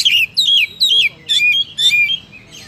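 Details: Oriental magpie-robin (kacer) singing loudly and energetically: five strong descending whistled phrases in under three seconds, each sliding from high to lower pitch with sharp attack.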